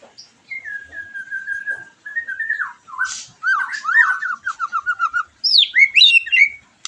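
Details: White-rumped shama singing, used to spur a bird after moulting into response: a long level whistle, then twisting warbled notes, a fast run of repeated phrases and high rising sweeps.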